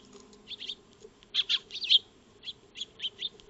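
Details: Eurasian tree sparrows feeding in a backyard, caught by a solar wildlife camera: short high chirps in small clusters, a louder burst of three or four notes near the middle, then scattered single chirps over a faint steady low hum.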